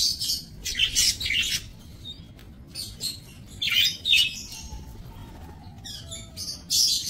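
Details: Budgerigars in a small breeding aviary on 28 November 2024 giving loud harsh chattering bursts and squawks, several in a row with brief pauses, plus faint thin whistles, over a low hum.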